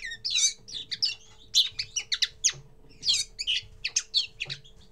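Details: Common linnet, first song: separate phrases of bright twittering and sharp chirps, rising and falling quickly, with short pauses between bursts, over a low electrical hum.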